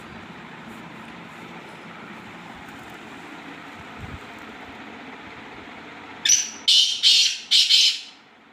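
A black francolin gives four loud, harsh, grating notes in quick succession, after several seconds of low, steady background hum.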